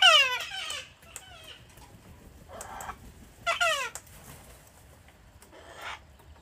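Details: Wild cockatoos crowding a deck in Australia while being hand-fed in chilly, wet winter weather; loud raspy screeches with falling pitch, four bursts over six seconds, separated by short quiet gaps.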